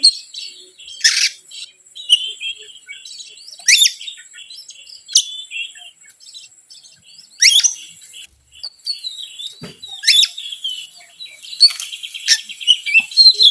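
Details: Oriental magpie-robin (kacer) song used as a lure to provoke other birds: varied high whistled phrases and warbled notes, broken by sharp loud bursts near the start, middle and end, over a faint steady high hiss.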